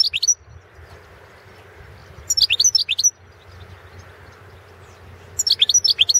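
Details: European goldfinch of the balcanica subspecies (Carduelis carduelis balcanica), entered in the 2016 World Championship in Goldfinch Song, an internet competition run by a Serbian breeding association; three short bursts of high, rapid tinkling twitters separated by pauses, over a low steady hum.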